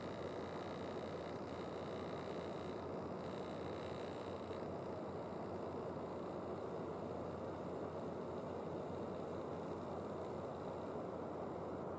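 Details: A steady rumble of an idling vehicle engine fills the recording, with no animal calls standing out.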